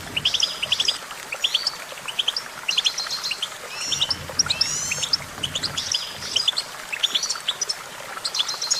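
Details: Goldfinch singing a lively run of bright, high chirps and twittered trills, grouped into quick bursts with rising and falling slurred notes throughout.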